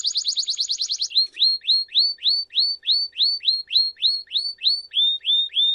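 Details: Canary singing for young canaries to learn: a quick high trill lasting a second, then a steady series of rising hooked whistled notes, roughly three per second, dropping lower near the end.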